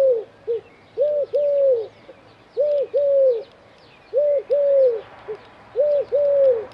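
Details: On an antenna in Dzierżoniów a Eurasian collared dove coos steadily, each phrase a short note, a longer drawn-out coo and a brief clipped ending, repeating in a regular rhythm while small birds twitter faintly in the background.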